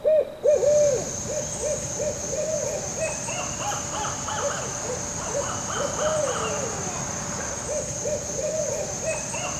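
Barred Owls in a rapid, excited run of arched, throaty hoots and cackles, with a steady high insect whine behind.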